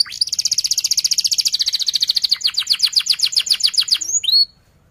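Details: Sharp canary rolling song used to train young canaries: a long rapid trill of repeated notes lasting about four seconds, ending in a rising whistle and brief silence.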